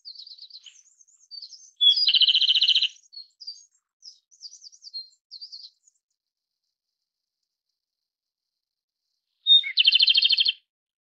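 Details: Two songs from a Japanese robin, roughly eight seconds apart. Each begins with a sharp high note and bursts into a dense, fast, dry trill. Soft, thin high twittering fills the gap after the first song.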